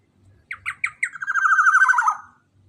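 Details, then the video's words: A black-naped oriole calls loudly to draw in other orioles. Three or four separate sharp notes build into a long buzzy, quavering slur that descends at its close. Faint low rumble underneath. "PANCINGAN Kicauan KEPODANG EMAS SUPER LANTANG super GACOR untuk pancingan kepodang emas besar"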